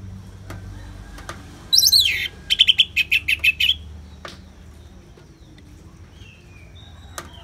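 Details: Ngeplong song of an orange-headed thrush in a therapy recording with natural rain sounds: one descending slurred whistle, then a quick string of about seven ringing, evenly spaced notes, followed by quiet with faint distant chirps.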